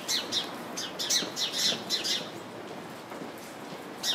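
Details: Chirping house sparrows sitting in a bush crowded with their kind, giving a rapid run of bright, high chirps, several each second, easing off midway and resuming at the end.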